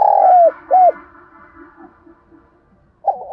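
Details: Spotted dove giving its urgent coo, used as a lure to bring birds to the trap and to train decoy birds: a loud long falling coo, a short rounded second note, then a low hum before another coo begins.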